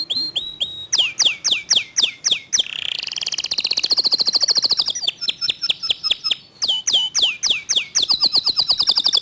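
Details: Clear-voiced local canary song in the fast, tight 'tembakan' style. Groups of crisp descending notes alternate with buzzy rattles and bursts of very rapid trilling, all bright and high-pitched.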